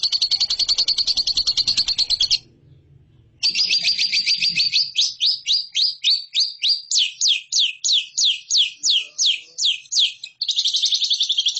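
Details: Lovebird training song for competition birds: a dense buzzy chatter, a one-second pause, more chatter, then a string of separate sweeping chirps about three per second, ending in another rapid buzzy burst.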